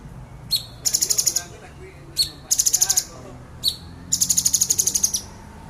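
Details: Agitated male orange-bellied leafbird in sharp 'nembak' shooting song: short high notes each followed by rapid bursts of six to eight very high, rattling pulses, repeating every one to two seconds.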